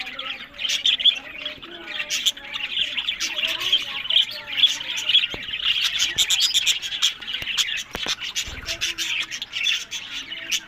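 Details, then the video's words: Pet budgerigars bred in captivity in Larkana, Sindh keep up a lively twittering chorus of thin chirps, trills and harsh notes, several voices overlapping, with a few sharp clicks near the end. "Buddies Parrot Voice"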